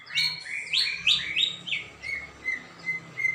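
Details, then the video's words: Saturday 21 December 2024 recording of a greater green leafbird singing energetically: quick bright chirps and slurred whistles tumbling up and down, then a string of short clear whistles repeated about twice a second. "Burung cucak ijo gacor"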